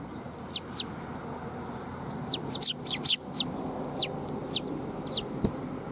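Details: Young sparrow, recorded 22 August 2021, calling with sharp, high-pitched chirps, some doubled, clustered in bursts and spaced through the recording, against constant low rumbling background noise and one brief knock.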